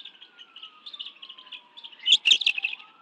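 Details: Bald eagle family of four at a Washington, D.C. nest during an afternoon fish meal, 11 June 2017: soft, even high chirps, then a sudden louder harsh burst of chatter near the end, over a faint gliding siren.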